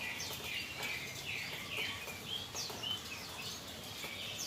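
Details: Yellow-vented bulbul (trucukan) following a calming rain-bath: bright clear chirps and short upward-flicking whistles, some louder and sharper, repeat unevenly over continuous hissing water noise.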